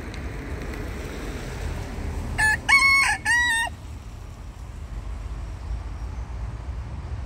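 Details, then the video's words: Rooster roaming wild through a dirty forest in the Netherlands gives a crow in three bursts, the final segment held and slightly falling, set against steady low-pitched ambient rumble with no other clear sounds. "Wild Dutch roosters roam freely through the dirty forest and sing songs"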